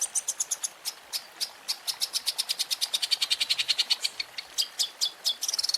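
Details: Long-tailed shrike (cendet) in a masteran training compilation of champion 'isian' fills: rapid high, sharp ticking notes in quick bursts, speeding into a dense trill near the end.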